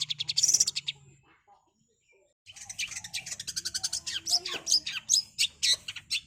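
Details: Long-tailed shrike in rapid 'super speed' song: a loud burst of harsh high notes, a pause, then a dense, fast stream of chattering, scratchy chirps with a few clearer whistled accents.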